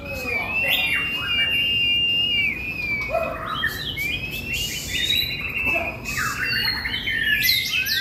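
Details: Long-tailed White-rumped Shama, tail 21 inches, freshly moulted, singing at a songbird competition field with a limited repertoire: continuous clear whistled phrases, sliding and sweeping notes mixed with sharp chirps and bursts of buzzy, scratchy notes.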